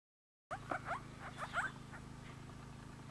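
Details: Grey-crowned babbler at Coolmunda Dam, Inglewood, Queensland, Australia, recorded on a Canon Powershot S5 IS: a burst of quick, rough chattering notes over about a second and a half, then fading, with a steady low hum beneath.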